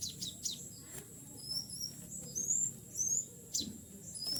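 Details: Tame sooty-headed bulbul used as a lure, calling wild bulbuls: scattered high whistled chirps, some rising and some level, irregular and fairly quick, with a faint low rumble beneath.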